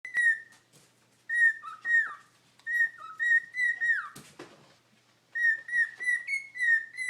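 A cockatiel chatters in bright, clear whistles, some level and some sliding down, delivered in quick bursts.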